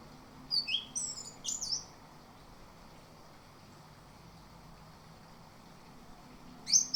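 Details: Lure recording of an orange-headed thrush for morning ngerol singing: about a second of rapid, high, varied whistles and sharp chips, a long silent gap, then another brief high burst at the end.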